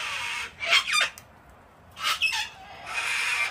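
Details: A flock of wild cockatoos being hand-fed on a deck in Australia in cold, wet winter weather screech repeatedly, rough broadband bursts broken by short louder squawks, nearly continuous.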